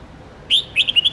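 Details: Red-whiskered bulbul song for drilling young birds to learn multi-note songs: one strong whistled note, a short pause, then four or five quick, clear, bouncing chirps rising at the end.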